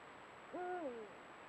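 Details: Eurasian eagle-owl, one of a pair, caught by a camera trap at a golden sunset; a single clear hoot rising, holding steady, then sliding downward over half a second, with quiet background.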